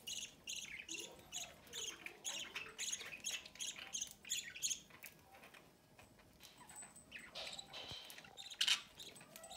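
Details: Pet budgerigar parents feeding a chick at the nest door; a fast, regular series of short buzzy chirps roughly three per second for five seconds, then quieter scratchy notes and one loud squawk.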